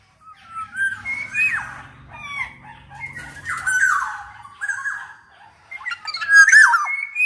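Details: Black-naped oriole singing, a lure to set other orioles singing: fluty slurred whistles and nasal squawks in a running sequence, faint low rumble in the first half.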